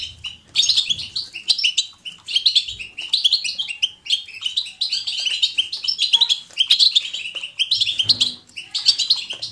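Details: Natural, lively European goldfinch batbata to spur goldfinches into song: phrase after phrase of rapid, high tinkling twitters and sharp chirps, each burst separated by very short pauses.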